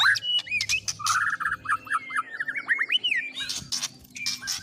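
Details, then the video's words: White-rumped shama song stuffed with imitations of cililin, canary and lovebird: dense jumbled chips, clicks and short looping whistles in quick succession, with a low background hum. "Burung Murai Batu MU KURANG GACOR., BONGkar Isian speed cililin, kenari, love bird Dll..!"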